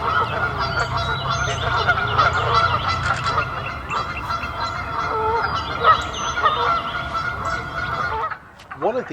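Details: In spring, as ducks and geese start looking for mates, Canada geese honk in a loud, overlapping chorus of harsh, nasal calls.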